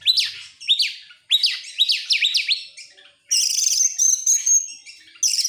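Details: Excited Oriental magpie-robin with open tail sings a quick series of rising-falling whistled notes in pairs and triplets, then a long harsh buzzy trill with a sustained high whistle running through it.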